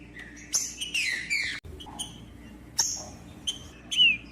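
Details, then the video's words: Green-winged saltator kept in captivity, singing to stir another bird: a few scattered whistled phrases and high chips, broken by quiet gaps and one sharp click. "MELHOR VÍDEO PARA ESQUENTAR TRINCA FERRO COM TRINCA FERRO CANTANDO"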